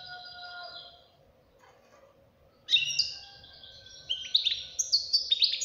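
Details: Young European goldfinch, a caged fledgling, breaking into lively liquid twittering after a quiet start, the rapid high notes building in the second half; a soft steady hum runs throughout.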